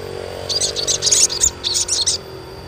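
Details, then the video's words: Asian pied starling chirping, used as a lure to get young untrained starlings singing: a dense burst of sharp, high chirps and twitters from about half a second to two seconds, over a faint steady high whine. "SUARA CUITAN SOGON UNTUK PANCINGAN SOGON BAHAN AGAR CEPAT GACOR"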